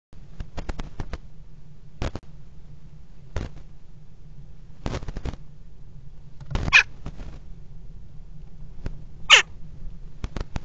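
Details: Common kestrels at a nest box in a water tower on 5 February 2018, one bird inside the box, mating on the rim; two brief loud harsh calls stand out amid repeated knocking and scratching noises.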